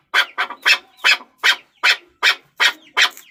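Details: Chukar partridge: rapid string of coarse, rasping notes, the first ones doubled, then settling into an even beat of single chuks.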